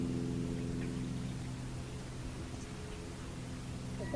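A Least Bittern gives a low, guttural coo-coo-coo series of quick repeated notes over a steady hiss of background noise.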